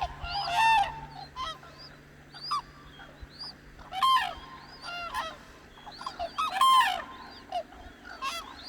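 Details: At dawn on the Hantan River in Cheorwon, Korea, a flock of cranes trumpets. Three loud, harsh, ringing calls stand out, around 0.7, 4 and 6.7 seconds, over a steady chatter of fainter rising calls from the gathered birds.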